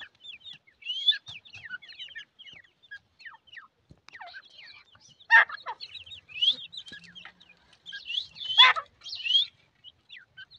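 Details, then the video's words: Grey francolin chicks calling: scattered thin, high peeping chirps and short twittering bursts, some sharper louder notes near the middle and end, with quiet gaps between. "Dakhani teeter ke chiecks teeter ke voice irani teetar ke awaz"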